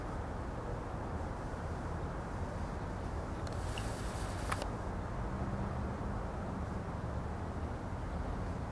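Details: Low outdoor traffic rumble runs throughout, with one brief broadband burst near the middle and no animal calls.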